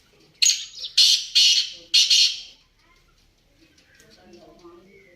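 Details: Black francolin (kala teetar) calling a quick series of four loud rasping, scratchy notes about half a second apart, followed by quieter mixed bird notes.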